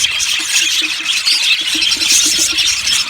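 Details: Yellow budgerigars of an aviary colony chirping together: dense high twittering with brief whistled notes poking through, and a soft lower ticking pulse repeating under the chatter.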